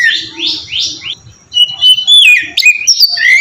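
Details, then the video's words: Oriental magpie-robin ngeplong song, used as a lure to set others singing: three raspy, buzzy upward sweeps, a short pause, then loud sliding whistles and sharp high notes. "suara burung kacer ngeplong merdu sangat ampuh buat pancingan kacer bahan bikin cepat gacor"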